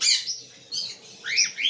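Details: Cockatiel giving three short, high chirping calls, the last a sharp rising whistle, each burst separated by brief quiet gaps.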